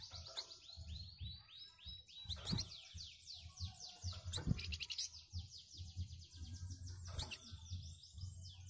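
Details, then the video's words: Flamboyan bird kept for songbird-training recordings, replying to other birds: long, fast run of sharp, high downslurred notes repeated almost continuously, with scattered clicks over a constant low-pitched hum. "BURUNG FLAMBOYAN RESPON SUARA BURUNG LAIN.LANGSUNG NYAUT DENGAN KICAUAN KHASNYA.."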